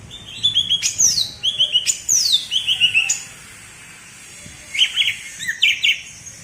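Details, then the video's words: Cucak ijo (green leafbird) from Alas Purwo, Banyuwangi, singing its prized bebeci song, a style fanciers link to contest potential: sharp descending whistled sweeps alternating with short twittering note runs, then a pause and brief bright chirps. "Suara Bebeci Khas Cucak Ijo Alas Purwo Banyuwangi"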